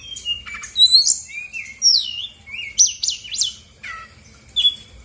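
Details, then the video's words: Female brown-chested jungle flycatcher (SRDC) from Bali used as a singing lure: spaced phrases of looping whistles, sharp upward-then-downward slurs every second or so, and a closing descending note. "PANCINGAN SRDC GACOR BONGKAR ISIAN/BURUNG MALAS BUNYI AUTO EMOSI RESPON NYAUT!!!"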